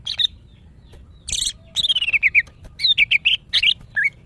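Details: Female greater green leafbird in breeding condition calling to males, kept in captivity: a harsh rasping burst, then a rapid string of descending whistled notes and a series of looping, warbling chirps.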